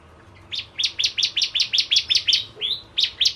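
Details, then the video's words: Bar-winged prinia singing energetically, a lure song for kept birds: a fast series of sharp, high double-noted chirps, briefly broken by a softer slurred note before the chirping resumes. "Burung Prenjak Jawa Gacor Pancingan Ciblek Kristal"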